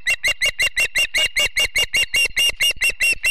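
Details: Osprey family at the Charlo nest in Montana on a September morning: rapid, steady series of loud, shrill whistled chirps, about two or three per second, each slightly rising and overtone-rich.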